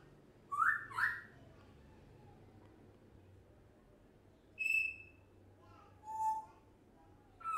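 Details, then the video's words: A one-year-old pet African grey parrot indoors gives short whistled notes: a pair of rising whistles, then a sharp high whistle and a lower rising whistle a few seconds apart, with quiet room hum between. "African Grey Parrot talks non stop"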